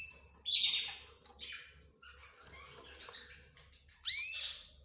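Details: Canaries, zebra finches and budgerigars housed together give a loud whistled chirp, then softer, scratchy twitters. A bright rising sweep closes the passage.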